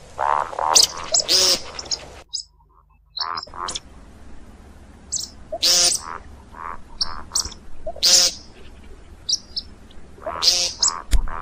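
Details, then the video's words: See-see partridge calls used for hunting: harsh, harmonic nasal notes mixed with sharp high squeaky bursts, uneven and irregular, with one brief silent pause near the two-second mark. "صوت طائر الشكب (دجاج الارض) للصيد"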